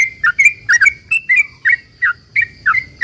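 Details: Rapid, continuous song of a sooty-headed bulbul, used to entice other bulbuls to sing in response: a rhythmic series of about ten liquid chirps, each with a quick dip and upturn, with a steady high hum behind.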